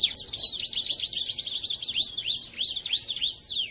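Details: Canary singing vigorously ('gacor'), pouring out a continuous, fast series of high, sweeping notes, mostly falling slurs repeated several times a second, with brief varied trills throughout.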